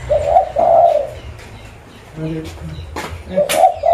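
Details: Local lure zebra dove from Pidie, Aceh: two gurgling coo phrases, a pause with a faint low murmuring voice and clicks, then the coo starting again at the end.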